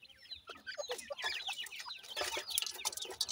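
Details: Soft, high, slurred chirps from feeding Sindhi grey francolin chicks, some rising then falling, set among sharp clicks and light scratching.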